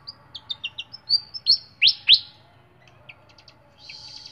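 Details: Flycatcher (sikatan) kept in a cage, clear song: a series of short high chirps speeding up, two loud downward-sweeping whistles, then a pause and a brief buzzy note at the close.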